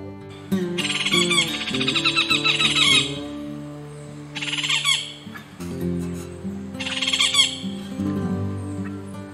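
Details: Yellow-tufted woodpecker (Melanerpes cruentatus), a common Amazonian woodpecker vocal year-round, gives three bursts of fast, harsh chattering rattles, each one to two seconds long, over steady background music.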